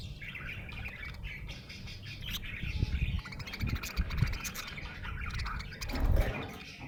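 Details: Happy budgie twittering in a busy, continuous warble of squeaky chirps and clicks, over a low rumble with occasional soft knocks.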